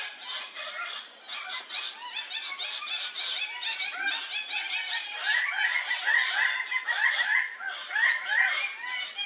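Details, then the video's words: Red birds-of-paradise at a lek on Waigeo, Papua, in July 2024 give a dense chorus of harsh, rapid, overlapping calls over a steady high insect whine. "Red Bird of Paradise lek"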